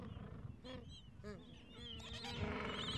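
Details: Two-week-old gentoo penguin chicks sheltering beneath their mother from a cold wind. Short arched chirping calls come in quick bursts while wind noise swells toward the end.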